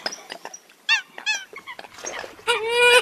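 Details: Eurasian coot in a foreign recording. Scattered soft clicks lead to two bright wavering squeals, then a loud, strained nasal honk at the end.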